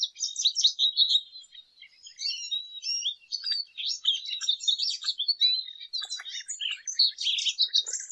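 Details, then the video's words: Lesser goldfinch in sustained song: a continuous stream of rapid high twitters, buzzy notes and sliding whistles, growing denser toward the end. "Jilguero Aliblanco Canto - Lesser Goldfinch Song - Lesser Goldfinch Call -Spinus Psaltria"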